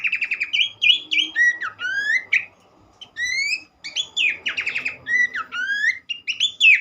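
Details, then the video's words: Abbott's babbler delivering trilled phrases and clear rising whistles in quick bursts, with a brief silence near the middle before the song resumes. Used as a therapy track to prompt other birds to sing. "mesti ikutan gacor burung pelanduk semak lain dengan terapi andalan ini"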